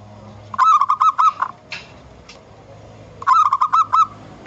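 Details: A wild local zebra dove gives two bursts of soft, rhythmic, bubbling coos, each a quick run of about six notes, with a faint low hum and brief rustles between; suitable as a lure for kept doves.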